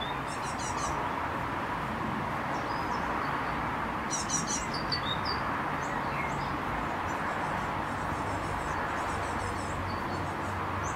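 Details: Recently fledged tits exploring and being fed on 19 May utter clustered bursts of high, scratchy begging notes, with brief chirps and faint whistles from other birds between the bursts.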